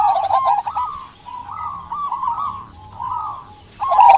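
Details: Singing local zebra dove, played to draw out silent doves: spaced, slightly rising coo phrases separated by short gaps, louder coos and high bird chirping returning at the end.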